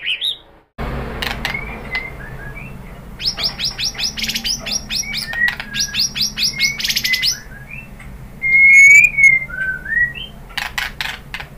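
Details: Long run of fast, even chipping notes from a white-rumped shama, used as a lure to excite another bird, followed by louder slurred whistles and rising warbles, with clicks and a low hum underneath.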